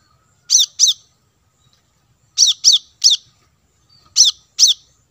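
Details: Plain-throated sunbird (kolibri kelapa) on lure audio for wild birds: crisp, high-pitched downslurred chips in groups of two or three, separated by clear pauses of about a second, on a quiet background.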